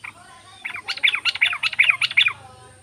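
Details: Yellow-vented bulbul chatter, played to lure reluctant bulbuls into singing: a short, dense burst of harsh, bubbly notes lasting under two seconds over a faint low hum.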